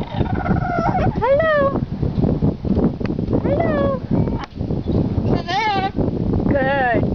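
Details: A 7-year-old female scarlet macaw at an exotic animal sanctuary talks, giving four hoarse, bending, speech-like phrases that each rise then fall and mimic a greeting, with a person talking and steady background noise.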